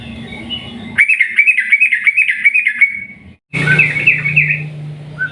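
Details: Trucukan, the sooty-headed bulbul, singing a long ropel trill in nguklik style as a lure for other bulbuls: a fast even string of bright clipped notes for two seconds, a brief cut, then looser warbled notes over low hum.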